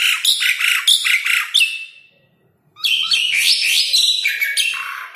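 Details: Asian pied starling (jalak suren) in energetic 'gacor' song, played to prompt lazy caged starlings to sing or to lure wild ones; dense bursts of harsh chattering and squeaky whistled notes, two long phrases split by a brief silent pause.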